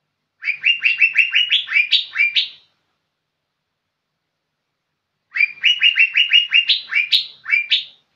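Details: Young green leafbird singing actively: two bursts of rapid, chattering whistled notes about three seconds apart, each about two seconds long and rising toward a buzzy finish, with a clean, quiet background.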